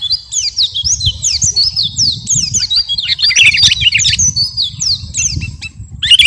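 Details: Sooty-headed bulbul, the garuda kutilang kind, in vigorous training song for captive birds: a continuous series of clear slurred whistles, many dropping in pitch, running steadily with denser chatter in the middle.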